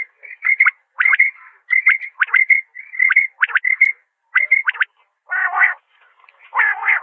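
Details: Common quail calling: short sharp notes near the upper-middle pitch range, bunched in quick pairs and triplets, repeating roughly every half second to second, with two harsh buzzy bursts near the end.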